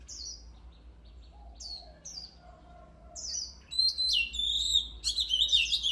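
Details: Oriental magpie-robin singing, a recording meant to train and stir a bird's voice. Sparse high, down-slurred whistles come first, then a louder burst of rich, varied whistled notes over a faint low hum.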